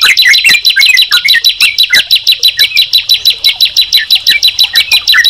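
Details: Sunda pied chat and yellow-vented bulbul in song together, a dense, evenly pulsed chatter of bright chirps, about three per second, over a high buzzy trill.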